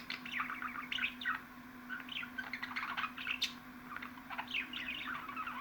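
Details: Budgerigars chattering, from a ten-minute recording meant to excite pet budgies: dense warbling chirps and short squeaky notes in bursts, with a steady low hum beneath.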